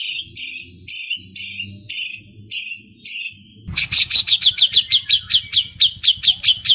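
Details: White-rumped shama filling its song with copied sounds, used for training other birds: slow paired harsh high double notes, then a fast, loud series of sharp repeated chips, about three a second.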